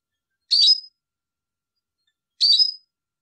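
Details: European goldfinch giving two short, bright, tinkling chirps about two seconds apart, with silence between them.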